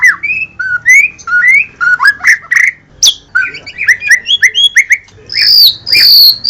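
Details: Murai batu, the white-rumped shama, singing gacor: sweet rising whistles alternating with quick slurred chips, the pace building into dense bursts, ending on loud high piercing notes.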